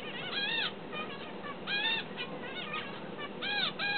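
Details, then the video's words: Tame finch learning to sing: bursts of clear, arched, harmonic notes, some rising and falling, in short groups with brief pauses, over a soft steady background hiss. "My tamed finch learns to sing"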